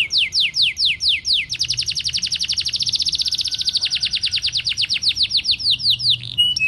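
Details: Gacor canary in full continuous song: a handful of slow upswept notes give way to a long rapid trill of rising chips that speeds up and runs for about four seconds before ending in higher whistled notes.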